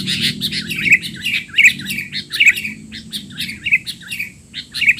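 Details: Sooty-headed bulbul giving noisy calls used as a tutor recording for young birds: sharp, buzzy chirps repeated a little more than once a second in an uneven series, with a low background hum.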